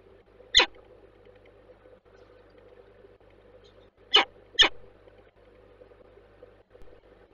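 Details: A female peregrine falcon in Warsaw (Bielany–Żerań) gives three short, harsh, rasping notes: a single note, then a quick pair a few seconds later, over a steady low mechanical hum.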